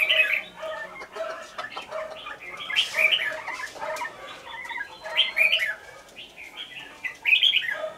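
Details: Caged decoy red-whiskered bulbul from Lương Sơn, kept one week, giving fighting song: bright warbled phrases in quick bursts, some rising slurs, separated by short pauses, with scattered sharp clicks throughout.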